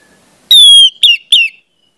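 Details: Orange-headed thrush song played as a lure to train young birds to sing: a long, clear, high whistle gently falling, then two shorter whistled notes, crisp and isolated against silence.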